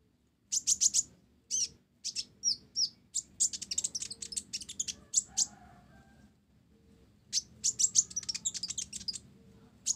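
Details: Kolibri ninja (olive-backed sunbird, blorok) in full song with sparrow-imitation filler: bursts of piercing high chirps and twitters in rapid runs, a quiet gap of about two seconds, then another dense chattering run.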